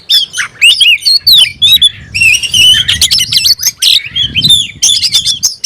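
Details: Oriental magpie-robin kept as a songbird, singing challengingly as though looking for a rival: dense high whistled phrases with trills, upward flicks and buzzy chatter, nearly continuous, with faint low background rumble.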